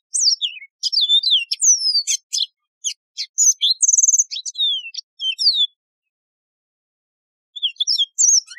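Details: Yellow-fronted canary (Mozambique serin), a wild canary with a ringing voice, delivers a long, fast, continuous warble of varied high chirps, swooping whistles and a brief buzzy trill, pauses, then resumes with more twittering.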